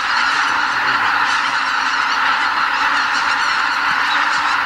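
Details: Greater white-fronted geese stopping over in spring at a Ramsar wetland in Bibai, Hokkaido, Japan, taking off before sunrise to feed on nearby farmland. A thick, continuous clamour of many overlapping nasal honks, never pausing.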